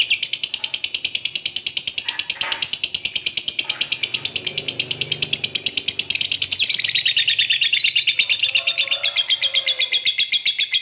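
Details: Lovebird in full long ngekek, a lively fighter bird's chatter meant to set other lovebirds calling: a continuous, very fast, dry rattling trill for eleven seconds, shifting lower and denser midway, over a faint indoor hum.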